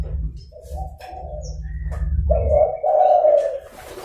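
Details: Chatty zebra dove call meant to draw in wild doves: a faint early coo, then a loud two-part rolling coo, a short burst followed by a longer trilled note, over low background hum.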